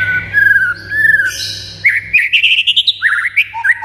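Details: White-rumped shama song used to provoke other birds to sing; smooth pulsing whistles, then a rapid rising series of rich whistled notes ending in quick upslurred phrases.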